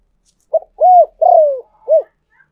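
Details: Spotted dove call for luring, one clean phrase: a short clipped note, a smooth arched coo, a drawn-out croo gliding downward and a final short rounded coo. The background is quiet.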